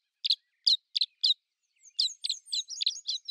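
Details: Common house martin song: four short, dry chirps in quick succession, then a pause, then a faster run of twittering chirps with a few thin high notes slipping between them.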